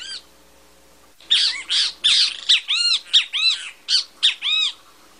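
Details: A great kiskadee (Pitangus sulphuratus) sings loud, harsh, arched squawking notes in a quick, uneven run, about three per second, over a faint low hum.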